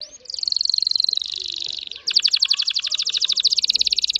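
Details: Red factor canary, an orange-red bird, singing fast: a long sustained buzzy trill that drops slightly, then a brief pause and a louder rapid rolling trill of evenly repeated notes.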